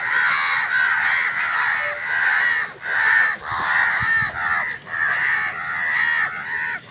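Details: Crows fighting for food keep up long grating caws, each lasting about a second, repeated almost without pause, with a few soft knocks in the background.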